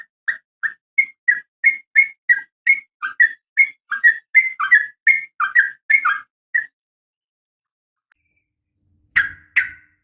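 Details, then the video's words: Fighting call of a female Sooty-headed Bulbul calling the male: about twenty short, clear whistled notes in an uneven run lasting six seconds, then quiet, then a brief harsh burst. "trucukan gacor SUARA TARUNG ROPEL UPLIK"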